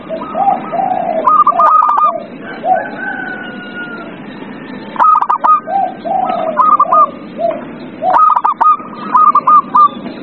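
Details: Zebra dove song, used to prompt a silent dove into singing: bursts of rapid staccato, ringing notes repeated in quick clusters, with lower, softer cooing phrases between them and a quiet, hissy background.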